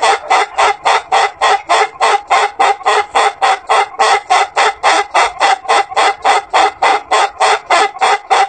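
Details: Laughing rooster (Ayam Ketawa) of Sidenreng Rappang, South Sulawesi, Indonesia, giving its human-laugh-like long crow: an even, unbroken train of short harsh syllables, roughly three and a half per second, sustained for over eight seconds.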